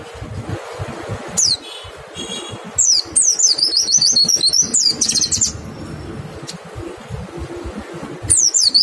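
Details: White-eye lure song to set other white-eyes singing: scattered high slurred notes, then a dense burst of rapid twittering, quieter gaps and another short phrase at the end.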